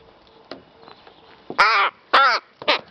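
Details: Rook at play with a feather and a flower, giving two loud, harsh, strongly harmonic caws after a few quiet ticks, then a shorter third caw to close.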